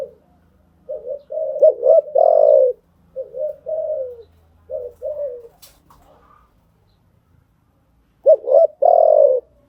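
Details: Spotted dove calling, a coo meant for training newly trapped birds; low rolling coo phrases, then a pause, then a final louder phrase, faint low hum behind.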